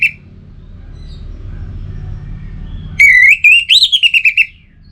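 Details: Captive Orange-headed thrush gives a single bright whistled phrase after a few quiet seconds. A sustained note opens it, then a quick series of short sliding whistles follows over a low background rumble.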